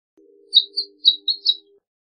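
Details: A male house finch gives five bright, high chirps in quick succession, about one every quarter second, over a faint steady low hum.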